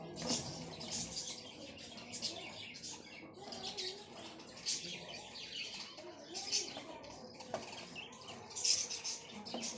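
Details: Plum-headed parakeets in India give shrill, high chattering calls in quick, overlapping bursts.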